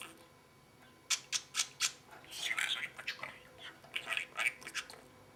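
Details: Talking parrot indoors mimicking human speech: a series of short breathy syllables followed by rasping, voice-like phrases in a quiet room.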